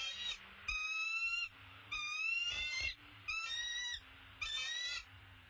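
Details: High, stacked, tonal calls from a bald eagle while the male brings an opossum to the nest, five bursts under a second long at quickening intervals, with faint low hum between them.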